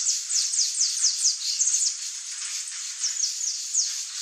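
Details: A wild saffron finch in Brazil sings a quick run of high, sharp, down-slurred chirps, about two per second, with a short thin whistle partway through.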